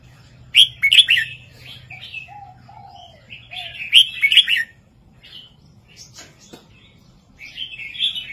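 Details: Southern 3-4-5 master song of a red-whiskered bulbul, meant to stir listening birds: two loud chattering warbled bursts about three seconds apart, soft low whistles between, quieter notes at the end.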